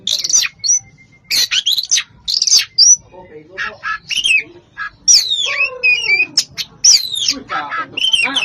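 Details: Koci, or Oriental magpie-robin, in energetic full-fill song: dense high chirps and sweeping whistles, one long steady thin note early on, then looping descending slurs and harsh squawky notes near the end.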